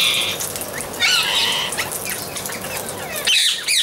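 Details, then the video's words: Amazon parrot making drawn-out, harsh, nasal squawks, one long buzzy call after a second and sharp screeches at the end, amid a dense chorus of chirping birds. "Amazon Parrot"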